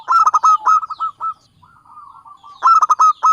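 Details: Local Java zebra dove cooing as a trapping lure: a rapid run of loud stacked notes fading into a softer rolling trill, then another loud burst of notes.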